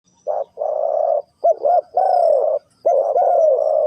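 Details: Spotted dove cooing in the style called 3 kuk hoi: low, hollow coos in linked groups, short notes followed by longer drawn-out ones, three phrases back to back in quiet surroundings.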